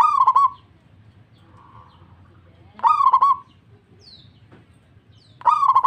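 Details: Local zebra dove in strong song, answering another dove: three rolling, stuttering coo phrases spaced about two and a half seconds apart, with a faint soft trill between the first two.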